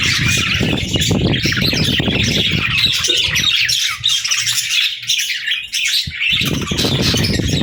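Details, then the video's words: Pet budgerigars chirp in a dense, ongoing chorus of squeaky and scratchy notes, partly masked by loud low rumbling and rustling at the start and end. "Bird Chirping Sound"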